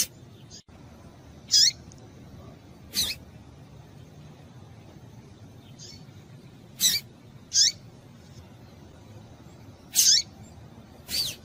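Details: Female double-collared seedeater, a 'hot' female calling to stir up males: six short, sharp, high notes, each sweeping steeply downward, spaced irregularly one to three seconds apart, with a faint steady hiss between.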